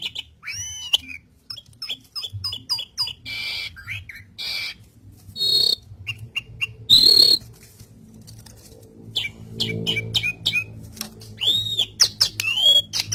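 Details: Asian pied starling (jalak suren) in gacor song for training pet starlings: scattered clicks and chatters, then loud arched whistles and harsh bursts, separated by quieter gaps and a low background hum.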